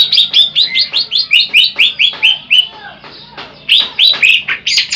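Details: Greater green leafbird, a big jumbo individual used as a master song for trapping birds, giving a rapid run of loud, sweet whistled notes in quick repeated phrases, some rising and falling, with a short pause midway.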